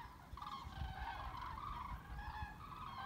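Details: A migrating flock of cranes flying over the Weser in Bremen, Germany, on 30 October 2016, formations breaking apart and re-forming; many overlapping rolling, trumpeting calls with rich harmonics sound almost continuously over a steady low rumble.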